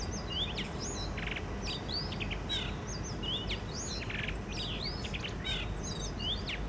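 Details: A mated pair of wild blue rock thrushes starts its first spring song of 2023 at a balcony in Shonan, Japan: quick sequences of clear, curving whistles, some rising and some falling, mixed with brief buzzy bursts over low rumble.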